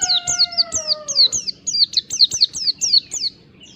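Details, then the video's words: Mountain white-eye singing fast, long ngalas song, used as a lure. Evenly paced, piercing downslurred whistles repeat rapidly, with fading lower steady tones at the start and soft clicks underneath. "pancingan pleci ngalas standar panjang PLECI MALAS BUNYI CEPAT GACOR"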